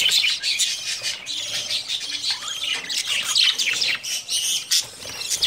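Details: Budgerigars kept for breeding at the start of summer give busy high warbling chirps and short squawks that overlap continuously from several birds.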